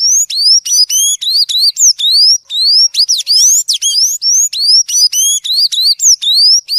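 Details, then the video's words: Sanhaço (tanager) giving its "violino" song type: a fast, unbroken run of high, squeaky, upward-sliding notes, several each second, with no other sounds. "Sanhaço Canto Violino"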